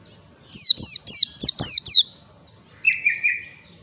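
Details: White-eye song used as a lure and training recording, in the ngalas style: clusters of sharp, high, down-slurred chirps in quick succession, then a short, lower, buzzy trill of three rapid notes.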